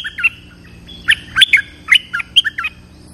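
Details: A bulbul lure call: bright, bubbling chirps and warbled notes in quick bursts, about five phrases over three seconds, with no other sounds intruding.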